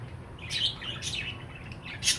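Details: Pet budgerigar giving three brief, bright chirps about half a second apart, with a faint low hum in the background.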